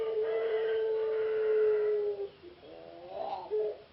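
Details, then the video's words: Captive puter pelung ringneck dove, a competition bird that reached the semifinal of a P4SI natural-sound contest in Yogyakarta, Indonesia. It gives a long, steady, low hooting coo for about two seconds, then a short break and a rougher, bubbly coo. "Burung Puter Pelung Lomba P4SI"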